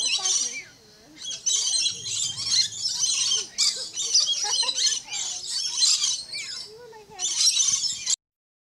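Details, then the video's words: Rainbow lorikeet calling from a tree at Lion Country Safari in Florida, a long run of shrill, rasping screech bursts with scattered warbled whistles between them, ending in sudden silence. "Rainbow Lorikeet Singing on a Tree"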